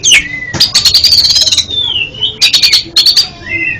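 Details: Oriental magpie-robin (kacer) song used as training for a bird that stutters: a drawn-out whistled slur falling from high to mid pitch, then runs of rapid sharp ticking notes, with a long sweeping whistle between bursts.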